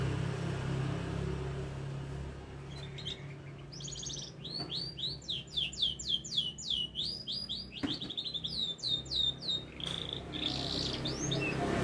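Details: Canary in lively song while learning to shake its head: bursts of quick, repeated, high falling notes over a steady low hum.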